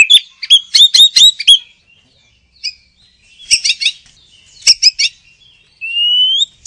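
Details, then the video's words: Oriental magpie-robin in chattering ngoceh gacor style: a quick series of sharp high whistled notes, a pause, then rasping buzzy bursts and a final long smooth rising whistle. "Suara Kicau Burung Kacer - Ngoceh Gacor"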